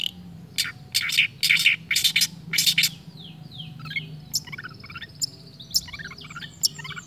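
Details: Long-tailed shrike copying other birds' sounds: a series of loud, raspy, scratchy bursts, then quieter descending whistled slurs and little looping twitters.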